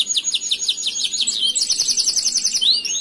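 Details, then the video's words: Canary master song for training young singers: a dense stream of fast, slurred, twittering notes at high pitch, shifting tour to tour with a brief rising whistle near the end. "Masteran burung Kenari"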